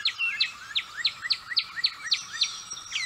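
Gray catbird song: quick, squeaky notes, each a sharp high downslur paired with a lower rising slur, about four per second, with faint background hiss.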